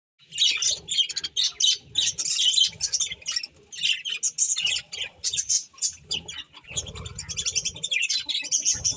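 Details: Pet budgerigars eating corn, giving a dense run of scratchy, buzzy chirps and squawks in rapid bursts, overlapping chatter with short pauses, plus faint low bumps from feeding or movement.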